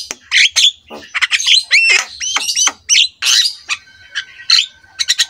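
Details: Javan myna master song meant to encourage lazy mynas: harsh squawks, looping whistled notes and buzzy chatter, then a run of quick sharp clicks at the close.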